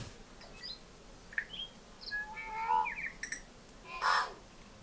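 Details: A tui on Tiritiri Matangi, an island bird sanctuary near Auckland, New Zealand, in December in good weather, sings a jumble of short whistled notes, clicks and sliding tones, then a harsh wheezy burst near the end, over a soft hiss.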